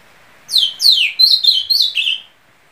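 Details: Ultramarine grosbeak delivering one quick, melodious run of whistled notes, opening with two falling slurs and ending in a cluster of shorter warbled notes, in an otherwise quiet setting.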